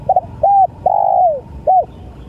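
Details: Cooing of a spotted dove: a stuttering double note, a rounded short coo, a long sustained coo gliding down in pitch, and a last brief arched coo. Low background noise throughout.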